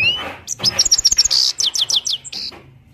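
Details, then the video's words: Himalayan goldfinch of Parachinar giving a short song phrase: a rising whistle, then a quick string of sharp, high, down-slurred chirps and a brief buzzy note before fading. "best parachinar Himalayan gold finch slowly motivational sings"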